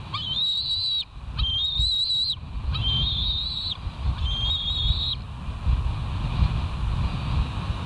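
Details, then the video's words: Bald eagles on a live nest camera at West End, 20 September 2023, 06:54: four high, thin whistled notes of about a second each, steady then slightly falling, in bursts, over a constant low rumble of wind or surf. "West End Bald Eagles"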